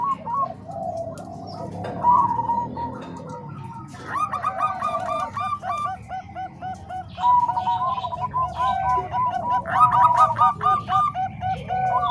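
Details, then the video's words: Training mix of Bangkok and Cemani Kolbuntet zebra doves: bursts of rapid, bouncing coos separated by brief quieter gaps, several birds overlapping at once. "Suara Kombinasi Perkutut Bangkok Dan Cemani Kolbuntet"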